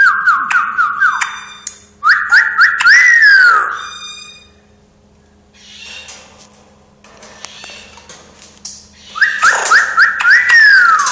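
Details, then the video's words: Talking parrot giving a repeated whistled phrase of short stepped notes, a rising sweep and a falling glide. The phrase comes three times, separated by breathy noisy passages, over a steady low hum. "Говорящий попугай. Свист"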